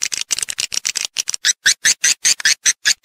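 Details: Swiftlet sounds in a stereo calling and roosting recording: a run of dry, sharp clicks, rapid and uneven at first, then spaced into a steady beat of about five per second.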